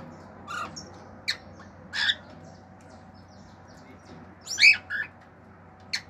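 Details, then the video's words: Male pet cockatiel kept at home, singing natural songs and mimicking sounds such as wolf-whistles (fiu-fiu), clicks and other birds; short separate chirps and whistled notes spread over six seconds, a louder double burst near the end, faint steady hum behind. "CALOPSITA MACHO CANTANDO CANTOS NATURAIS, FIU-FIU, ESTALINHOS ENTRE OUTROS"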